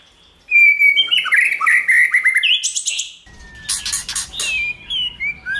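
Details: White-rumped shama song used to provoke and train shamas to sing, in many voices: varied whistled phrases, slurred and warbling, then sharp high chips and rapid notes over a buzzing background hum.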